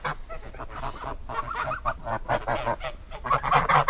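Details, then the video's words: Geese honking in a dense, continuous chorus of nasal, harmonic-rich calls, overlapping one another and growing louder and busier toward the end. "Gans geräusch / Gans geluid / Bruit oie / Gänse geräusche"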